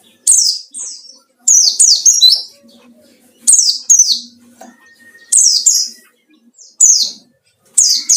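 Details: Rival-provoking white-eye song in the 'ngalas' style: clusters of two or three bright, descending high chirps recurring every second or two, with a brief steady tone and soft background twitter.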